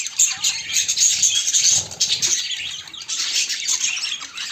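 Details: Budgerigars kept as pets, a white bird seeking a mate among them: continuous high, scratchy warbling with quick chirps and short whistled squeaks, layered calls from more than one bird throughout.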